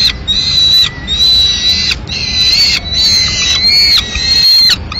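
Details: Peregrine falcon at a Madrid nest in May 2016 when the male brings in a live swift: drawn-out high whining wails, each about a second long, repeating almost without pause.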